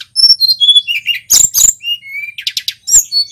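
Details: A male local mountain flycatcher's song, used as master audio for training songbirds: descending thin whistles, loud buzzy bursts, a flat whistle and quick trilled chirps.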